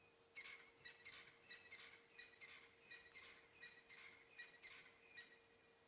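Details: A crested francolin calls on a quiet morning drive in Sabi Sand, South Africa, in late September: a faint, harsh, rattling call of quick bursts repeated about every two-thirds of a second, over a steady low hum.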